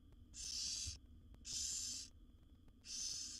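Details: Rasping, hiss-like food-begging snores from young wild barn owls, seven chicks fed by their mother inside a nest box. Three long even bursts follow one another at roughly one-second gaps.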